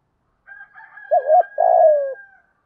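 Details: Spotted dove cooing to spur a new decoy bird: a wavering short note then a long falling coo over a steady high tone in the background.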